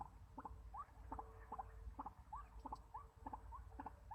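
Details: White-breasted waterhen, a decoy bird used for trapping, calling a steady series of short upslurred notes, about ten in four seconds, each paired with a sharp click, over low rumbling background noise.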